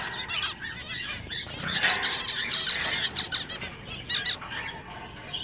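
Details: Pet-shop flock of zebra finches: males singing softly amid many honking, nasal "meep" calls, a continuous crowded chatter of short buzzy notes with faint rustling behind.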